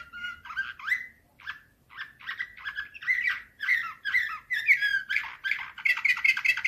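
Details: Slavujar canary song recorded in 2024, a fast run of chirped and trilled notes, roughly two or three per second, building into a dense high-pitched rattling warble by the end.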